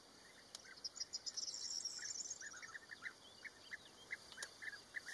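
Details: Small colony of European bee-eaters, Rusenski Lom, early May, courting and nesting on a wall where birds jostle for the best spots; a steady run of short, purring calls every half second or so, with higher twittering above.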